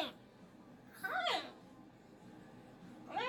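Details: Indoor pet cockatoo in a Monday morning meltdown. It gives a short arched whining cry, a quiet pause, then a second rising cry.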